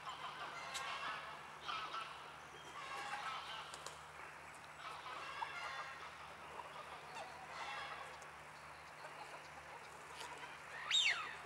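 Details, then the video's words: A pair of rosy-billed pochards at Landgoed Hoenderdaell, Anna Paulowna, Netherlands, give soft, raspy, breathy calls at irregular intervals of a second or two, over a low steady hum, with a sharper note at the end. "rosy billed pochard couple"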